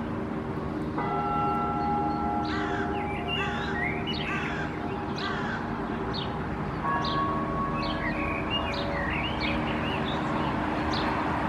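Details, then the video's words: A male Common blackbird perched on a dead branch in Helsinki, Finland, in April 2024 sings short fluty, warbled phrases with thin squeaky flourishes, separated by pauses, over a steady ringing, bell-like drone. "Blackbird perching on a dead branch, singing"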